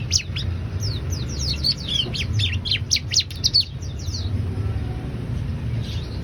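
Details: Bar-winged prinia, known locally as ciblek, singing energetically: a quick three-second flurry of high, sharp descending chirps, then quieter scattered notes over steady low background noise.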